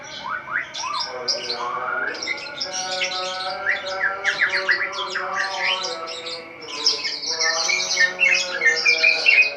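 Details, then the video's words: White-rumped shama kept in a cage, singing at dawn: rising whistled slurs give way to dense, varied chattering notes and high rapid trills, a busy and changeable stream of song over a low steady hum. "Murai Batu Ngeplong buka tutup sangkar langsung gacor | Burung Murai Gacor Subuh Subuh"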